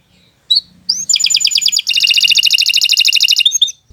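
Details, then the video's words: Canary delivering a fast song for tutoring other birds: a couple of sharp whistled notes, then a dense rattling trill of more than two seconds that shifts pace midway and ends with a short whistle. "Kicau Burung Kenari 135 II LUAR BIASA GACOR PANJANG Cocok untuk Masteran"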